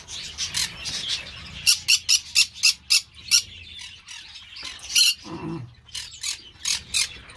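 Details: Green-cheeked parakeet producing quick bursts of shrill, rasping squawks, several per second, broken by a short gap and a lower, grating sound before more harsh calls resume.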